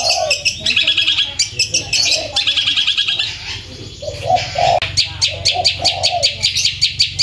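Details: Long-tailed shrike, loud fast kuntilanak-style song for training songbirds: rapid high chirp runs and clicking trills, a brief quieter stretch, then lower warbled cooing notes with sharp repeated chips, constant low background hum.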